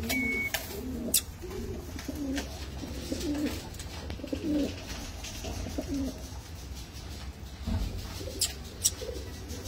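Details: Fancy domestic pigeons give low, throaty coos in soft repeated bursts, with a low hum and clicks in the background.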